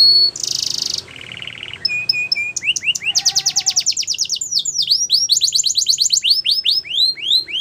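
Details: A yellow Belgian canary sings a fast, varied song: a harsh buzzy burst, steady trilled rolls, then rapid repeated high rising whistles.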